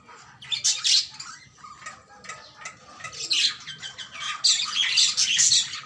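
A budgerigar gives bursts of harsh, high squawks and scratchy chirps.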